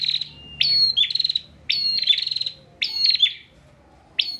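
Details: Bar-winged prinia kept in a cage in Pemalang, Central Java, in full persistent song for training other birds: loud phrases of a sharp whistled note followed by a fast buzzy stutter, repeated about once a second.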